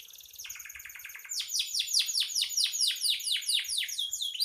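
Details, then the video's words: Canary singing as a master recording for songbirds: a soft rattling start, then loud rhythmic high sweeping notes repeated several times per second, with faint low knocks beneath. "Suara burung kenari gacor"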